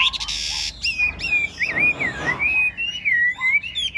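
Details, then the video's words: Chinese hwamei, a big caged bird of 'ngũ trường' shape that nods and does a lion-dance display while singing: a loud, clear whistled phrase winding up and down in pitch, nearly continuous for four seconds. "Họa mi ngũ trường bộ to hót gật gù múa lân"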